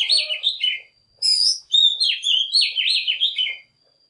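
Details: Oriental magpie-robin singing as a lure to attract wild birds and encourage young birds to sing. Its varied, sweet phrases mix high thin notes with richer warbles, jerky and rapidly changing, broken by brief pauses.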